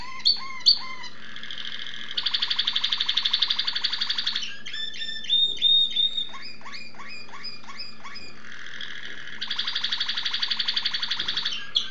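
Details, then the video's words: Malinois Waterslager canary, 2011 recording: ringing harmonic notes, then long rolling trills, interrupted by bubbling watery gurgles and clipped whistles before the rapid pulsed roll returns. "malinois waterslager"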